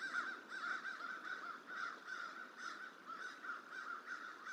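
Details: Crow protesting a young bald eagle eating in a hatchery tree, in January, trying to run it off: rapid, irregular harsh caws, several per second, moderately distant, with steady outdoor background hiss.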